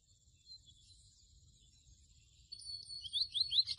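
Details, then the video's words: A chestnut-bellied seed finch song meant for teaching captive birds: high, thin whistles that swell into a louder run of rapid, sliding notes in the second half. "CANTO DE AVE MOCHUELO O PICO DE PLATA AZUL"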